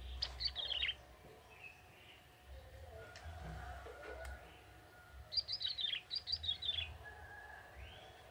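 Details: Young wild male bar-winged prinia singing in forest: two bursts of high, rapid chirping trills descending slightly, about a second each, separated by a quiet pause with low background rumble.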